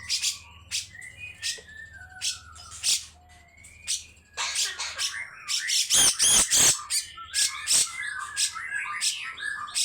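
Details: Rough, drawn-out rasping song of a grey-cheeked bulbul, said to wake other birds into song. Sparse whistled slurs and scratchy notes in the first half build to dense, loud harsh bursts, with a faint low hum early on.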